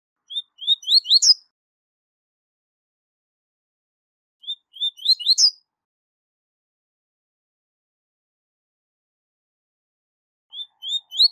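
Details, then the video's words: Double-collared seedeater giving its high-level 'tui tui zel zel' song for teaching young birds: phrases of rising whistles ending in a buzz, repeated about every five seconds. "Canto Tui Tui Zel Zel De Alto Nível - Canto Ótimo Para Encarte De Coleiros e Papacapim"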